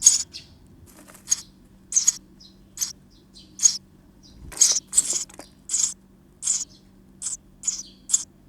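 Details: Active nestlings inside a nest box, recorded 19 May 2023, give hissy, high-pitched bursts of calls, repeated irregularly about every half second, over a faint steady low hum.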